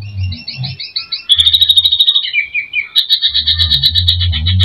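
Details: Greater green leafbird in full song, used to provoke a rival bird into singing: bright, high whistled phrases, first a quick stuttering series, then a sustained rattling trill, over a low steady background hum.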